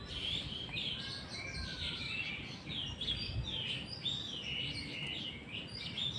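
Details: White-rumped shama singing in the afternoon: continuous rich, varied whistled phrases, warbling and looping up and down with fluty notes, over a steady low background rumble.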